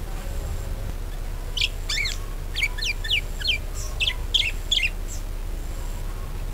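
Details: Budgerigar chatter meant to lure other birds into singing: a series of quick, downward-slurred chirps repeated several times a second, then a few scattered squeaks.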